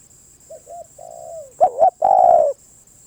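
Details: Spotted dove: a soft pair of short coos and a long falling one, then a loud phrase of a quick doubled note and a sustained, downward-curving coo, over a faint steady high tone.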